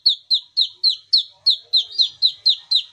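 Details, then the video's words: Kinoi singing, used as a lure to get silent kinoi singing: a steady series of sharp, high downslurred whistled notes, about four each second, clean and evenly spaced. "KINOI GACOR - SUARA ASLI KINOI"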